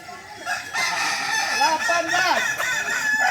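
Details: Performance training of Kukuak Balenggek chickens, native singers of Solok: a steady blend of overlapping crows with wavering, stepped notes and a long sustained tone, continuous from start to finish.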